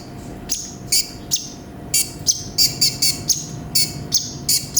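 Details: Vigorous olive-backed sunbird song from a tutor recording: spaced, high, buzzy chirps and short thin whistles, roughly two or three per second, over a low background hum.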